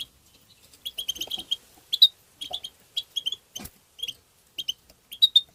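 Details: European goldfinch singing in the tbitba style, used to stimulate other goldfinches: bursts of quick, bright twittering notes with sharp chips and trills, in short phrases separated by brief pauses, with a few soft clicks underneath.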